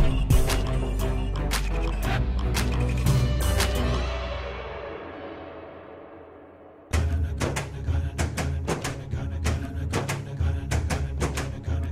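Heavy, percussive music with deep booming beats fades out, then starts again loudly; no animal voice can be picked out.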